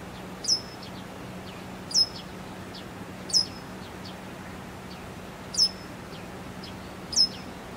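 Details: Japanese wagtail (Motacilla grandis) holding a large caterpillar in its beak for tens of minutes gives five sharp, high, slightly sweeping "piih" call notes spaced one to two seconds apart, over a low steady hum.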